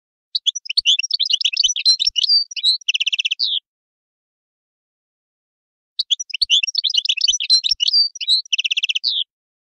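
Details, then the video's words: Two similar goldfinch song phrases about six seconds apart, each a quick tumble of high twittering notes ending in a dry, even buzzy trill. "تغريد حسون"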